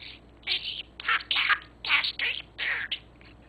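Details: Caged pet budgie learning to say 'fantastic', repeating harsh, raspy, talking-like phrases in five or six clipped bursts, each about half a second long, with brief gaps between them.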